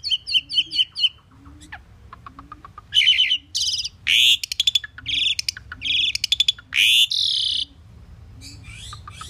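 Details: Common pied myna in full song: rapid ticking notes, then a series of loud harsh grating bursts mixed with crackling clicks. A soft low note repeats steadily about every second underneath.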